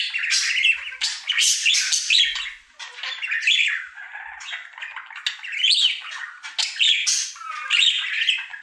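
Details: Singing budgerigar, a happy male pet during his daily routine, pours out a busy stream of harsh chirps, rasping squawks and fluttery warbled notes in short bursts with brief dips.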